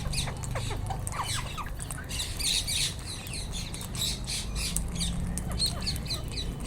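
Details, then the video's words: A group of wild Indian ringneck parakeets produces harsh, scratchy shrieks, in clusters of rapid overlapping calls that swell and fade, backed by low constant noise. "wild Indian Ringneck parrots// natural sound"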